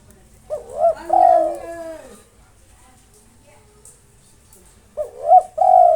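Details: Local spotted dove, singing nonstop to provoke rival birds, delivers two cooing phrases about four seconds apart, each a pair of quick rising notes and a long held coo, with a lower hum beneath the first.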